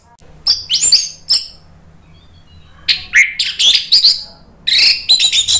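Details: Orange-headed thrush singing a lively ngeplong-style song used as a lure to make other birds answer: two bursts of sharp, high whistled and chattering notes separated by a pause of about a second and a half.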